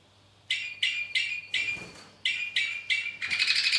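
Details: Two-barred crossbill singing in the weather of the day: clear, ringing, slightly nasal notes repeated about three times a second, separated by short gaps, ending in a rapid buzzy trill.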